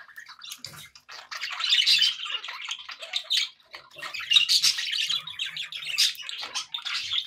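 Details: Happy budgerigar chatter, kept as pets: rapid scratchy warbling and high squeaky chirps rising into a steady, busy flow after a quieter start.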